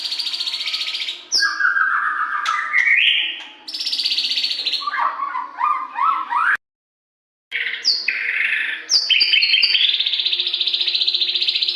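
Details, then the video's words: Varied, loud white-rumped shama song meant to stimulate captive birds in the morning: high buzzy trills, lower slurred whistles and quick rising chip series, a second of silence, then piercing whistles and a pulsing trill. "SUARA LANTANG AMPUH MERANGSANG MURAI CEPAT GACOR"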